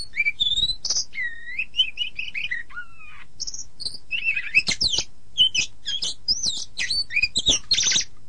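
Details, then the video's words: Oriental magpie-robin master song for training birds in morning or evening sessions: clear whistles, a run of repeated falling notes, then a fast jumble of sharp chips, buzzy bursts and mimicked high notes. "SUARA BURUNG - Masteran Terbaik Kacer"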